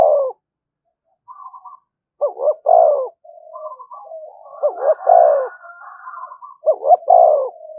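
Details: Spotted dove used as a decoy to provoke fighting, calling repeatedly. Several bouts of low, throaty coos are heard, each rising in a quick pair and ending in a longer note, with softer chatter between them.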